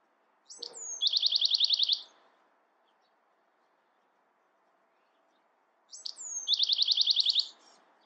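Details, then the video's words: Bewick's wren singing twice, about five seconds apart: each phrase opens with a few sharp high introductory notes and a thin descending whistle, then a fast, buzzy, evenly pulsed trill lasting about a second. "Beautiful Bewick's Wren Songs |Calling | Singing!"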